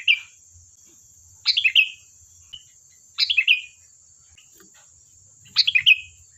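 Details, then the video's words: Energetic sooty-headed bulbul, recorded as a lure for other birds to reply, repeats a quick tumbling phrase of four or five bright descending notes three times, roughly every two seconds, with a steady high hum underneath. "Suara burung Kutilang Gacor || Ampuh untuk pancingan, dijamin nyaut"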